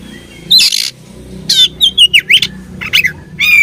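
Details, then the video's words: Fighting oriental magpie-robin: a harsh burst, then a fast sequence of descending and up-slurred whistled notes, ending with a loud buzzy note. Soft low background rumble. "Beautiful Chirping Sound Of Fighting Birds"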